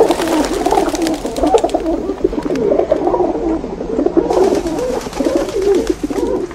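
Several pigeons coo together in low, throaty, rolling phrases that overlap continuously, with faint background clicks and rustling.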